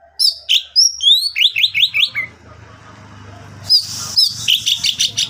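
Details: Oriental magpie-robin song intended to prompt other birds to sing: upslurred whistles and a fast string of rising notes, then a stretch of rough background noise before shrill chattering resumes.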